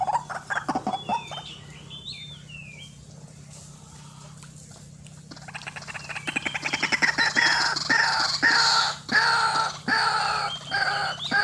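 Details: White-breasted waterhen sound used to lure birds for trapping: a few gruff notes and other birds' slurred whistles at first, then a long fast series of loud, harsh, rhythmic throaty pulses.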